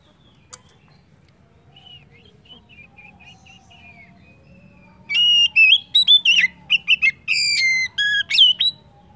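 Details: Oriental magpie-robin, played to encourage other birds to sing: faint, soft warbling at first, then loud, clipped whistles and ringing chirps in a rapid, varied burst.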